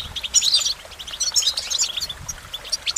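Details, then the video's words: Rapid goldfinch song phrases of sharp, high tinkling chirps, delivered in quick clusters about every half second. "Goldfinch Motivation Performance"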